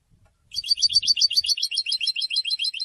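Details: A European goldfinch bursts into a lively, continuous twitter of high, liquid notes, repeated rapidly and evenly for over two seconds; soft low knocks precede it.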